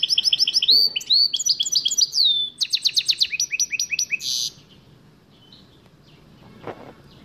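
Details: Goldfinch mule song of rapid trills, twitters and a final harsh buzz lasting about four seconds, followed by quiet hum.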